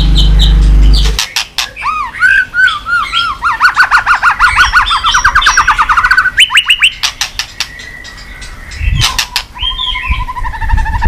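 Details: Excited white-rumped shama, stimulated to sing: after a loud low burst, a long fast series of repeated whistled notes climbing steadily, then clicks and a sustained wavering whistle.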